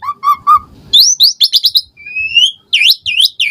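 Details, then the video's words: Asian pied starling song used to prompt caged birds to sing: rich varied phrases, repeated warbled notes, then high sliding whistles and rapid chattering bursts, loud and close. "Jalak Suren Gacor Full Isian Variasi Mewah !!! Pancingan Jalak Suren Ocehan Suara Burung"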